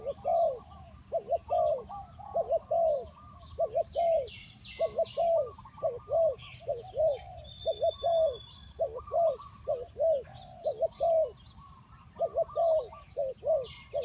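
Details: Spotted dove (tekukur) as a trapping lure, cooing steadily: about a dozen phrases of two quick coos plus a drawn-out one, a second dove answering more faintly, small birds chirping high overhead.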